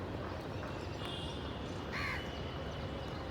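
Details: One rasping crow caw rises from a noisy outdoor background with steady low rumble and faint higher hiss.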